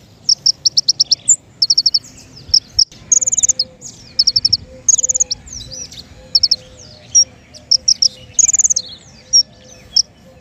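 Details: King konin song used as a bird-trapping lure: continuous high chirping in rapid bursts, with buzzy trills and upslurred notes, while a faint low tone repeats in the background.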